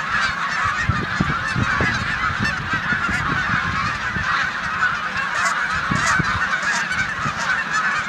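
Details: Large flock of snow geese with Canada geese in a corn field, Savannah, New York, 14 March 2020, resting before migration. Steady chorus of overlapping honks, with scattered low thumping rumbles underneath.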